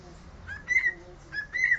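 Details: Short fragment of a cockatiel's learned Sport club anthem: two whistled phrases, each starting lower and sliding up into a held, clear tone, over a quiet room.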